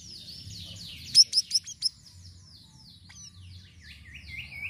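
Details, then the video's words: Sirisiri in lively song used as a bird lure: faint high twittering opens, then four or five loud sharp chips in rapid succession, followed by soft scattered warbled notes. "GACOR UNTUK PANCINGAN BURUNG SIRISIRI DENGAN VARIASI SUARANYA"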